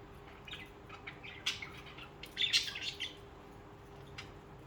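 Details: Budgerigars chirping and singing, kept as pet birds; soft high chirps and a brief burst of chatter in the middle over a faint steady hum.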